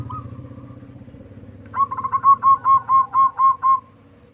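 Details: Local zebra dove with a big voice, used to draw other birds to answer. A low motor rumble fades out, then a clear rhythmic coo of about eight evenly spaced rounded notes follows.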